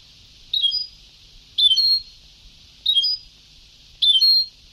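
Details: European goldfinch, sabtawi (Ceuta-style) song on an old tape: four short sparkling twittered phrases spaced about a second apart, the later ones slightly longer and louder, against near silence.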